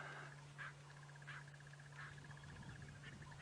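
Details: Lilac-breasted Roller perched in an apple-leaf tree on an October 2016 morning safari drive gives very harsh, rasping bursts, about one every two-thirds of a second, over a steady engine hum and a fast, thin ticking trill.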